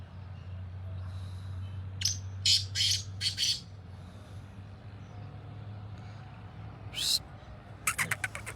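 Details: Field-calling black francolin: a series of four harsh, buzzy notes, a single rasping note a few seconds later, then a rapid run of short scratchy clicks, with a low background hum throughout.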